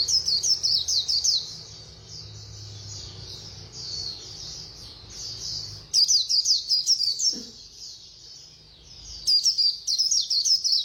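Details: White-eye with fast 'líu' song: bursts of rapid, piercing high notes alternate with softer continuous twittering, three loud runs in all, and faint low background rumble.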